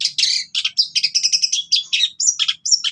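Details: Long-tailed shrike in vigorous gacor song with cililin-style fill, used as training material for captive birds: fast, varied high chattering notes and short whistled phrases in quick bursts, with a few brief pauses.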